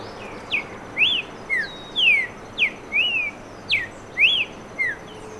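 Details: Streaked saltator (Saltator striatipectus) singing a series of clear, slurred whistles. Short phrases of three rising-then-falling notes repeat about every one and a half seconds over a faint steady high tone and low background hiss.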